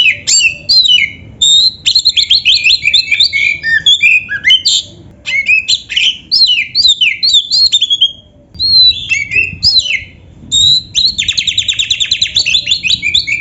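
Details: Oriental magpie-robin delivering continuous 'gacor' song with canary 'isian' fillers: bursts of varied quick whistles and chattering notes separated by brief pauses, ending with a fast dense trill.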